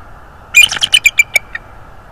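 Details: Bald eagle at a nest in northeast Florida, recorded by a nest camera in January early morning: a quick descending series of about eight thin, squeaky chips fading out over one second.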